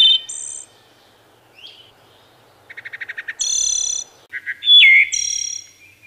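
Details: Wood thrush song with layered flutelike tones, a short slurred whistle, a run of about seven quick low pips leading into a bright shimmering trill, then more stutters and a clear descending fluted note.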